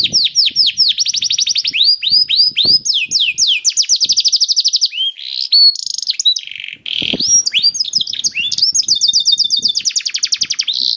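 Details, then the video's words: Canary singing to prompt other canaries to sing, a fast continuous song of rapid repeated high trills and sweeping whistled notes, changing phrase every second or two, with faint low clicks in the background. "KENARI GACOR CENGKOK ISTIMEWA #213 || VOICE OF CANARY"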